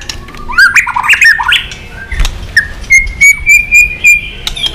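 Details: White-rumped shama roused to sing against rivals: a jumble of warbled notes, then a steady string of clear repeated whistles about four per second with light clicks.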